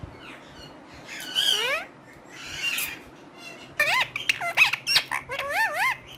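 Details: Parrot known for talking produces a harsh raspy squawk and a buzzy note, then a fast string of wobbling, voice-like syllables over the final two seconds.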